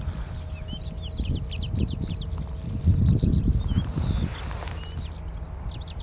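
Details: Perched on Angelica ursina in June 2022, a Middendorff's grasshopper warbler delivers a dense, hurried sequence of high scratchy notes, then a few looping whistled slurs, over strong low rustling and rumbling noise.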